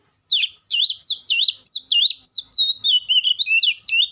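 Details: Oriental magpie-robin delivering a steady series of looping, warbled whistled phrases, roughly two per second, each sweeping down then up, with a few softer higher notes near the end; no other sounds intrude.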